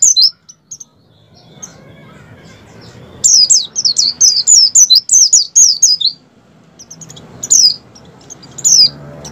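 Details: Wild Oriental white-eye in peak breeding condition, voice used to prompt captive white-eyes into singing: a sparse opening note, then a fast run of high, sliding twitters for about three seconds, followed by a few isolated chirps over low background rumble.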